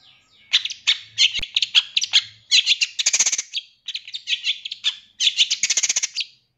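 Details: Long-tailed shrike master song for training captive birds: dense, varied chattering with rapid clicks, buzzy trills and clustered chips in bursts separated by brief pauses.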